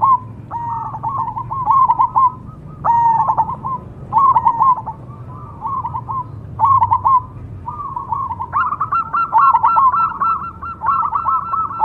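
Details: Perkutut cemani, a variety of zebra dove, delivers repeated rolling coo phrases of quick staccato notes with longer trailing coos. The phrases come in regular bursts and grow fuller near the end, with a faint low rumble beneath.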